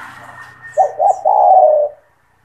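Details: A lone spotted dove phrase from a persistent singer used to train young doves: two brief coos, then a longer, smooth, low coo tailing off, over a faint hum and distant high notes.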